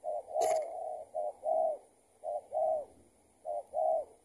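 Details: Spotted dove responding to a decoy as it is being trapped; it turns out to be an escaped tethered decoy. Repeated two-part coos, short then longer and rounded, with a sharp click near the start.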